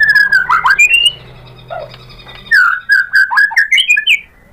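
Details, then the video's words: White-rumped shama, provoked into replying, sings jumbled whistled phrases, pauses briefly with a faint low hum, then delivers a rising sequence of clear slurred notes. "MURAI BATU GACOR memancing EMOSI jadi NYAUT BONGKAR MATERI ISIAN"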